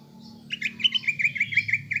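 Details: Fast chattering whistles of a greater green leafbird, a lure meant to make young or silent caged birds agitated and fight-ready: about ten quick downslurred notes packed into one and a half seconds over a low hum.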